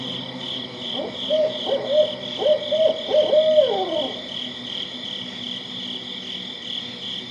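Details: Barred owl, at night, giving a rhythmic series of six or seven deep hoots over about three seconds, ending in a drawn-out downward slur, over a steady insect hum.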